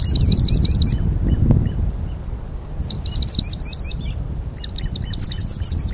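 Common sandpiper giving rapid bursts of thin, high, piping notes, several per second, in three runs over a low rumble of wind or water.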